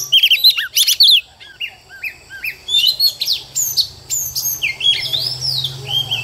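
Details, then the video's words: Oriental magpie-robin female singing to provoke male birds, giving quick clusters of bright chirps, then sliding whistled phrases and a long arched whistle near the end, with short gaps between phrases over a soft low hum. "choè than mái bổi lên kích trống quá hay"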